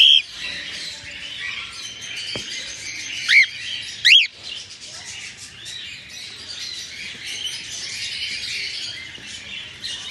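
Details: Albino cockatiels with red eyes enjoying morning time: two loud, sharply arched chirps near the middle stand out above a steady background of soft flock twittering.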